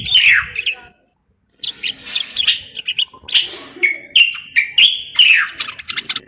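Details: Moroccan bulbul song: a down-slurred whistle, a short pause, then a run of varied chattering and clear whistled notes with rising and falling inflections.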